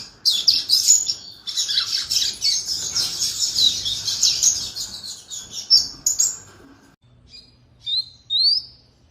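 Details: Canary singing a dense, continuous high warble of rapid chirps and trills for about seven seconds, then a pause followed by a few separate rising whistled notes.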